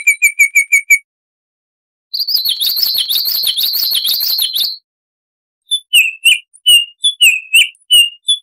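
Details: Baltimore oriole singing in wild, forest style: five or six quick, clipped whistles, silence, then a long harsh buzzy chatter of nearly three seconds. It closes with a loose sequence of varied, slurred whistled notes. No other noise.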